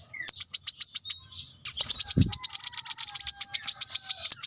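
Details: High, rapid chipping trill from a plain-throated sunbird seeking an opponent. A short series breaks off, then a longer, denser run follows, with one low thump partway through.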